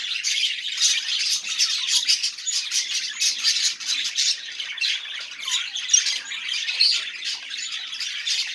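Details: Continuous budgerigar chatter used to prompt silent budgies into song: dense, harsh, buzzy twittering with quick clicking notes that run on without pause.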